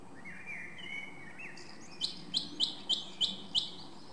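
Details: Singing song thrush (Turdus philomelos) repeats one short, sharp note six times, about every third of a second, after a soft whistled phrase from a more distant bird.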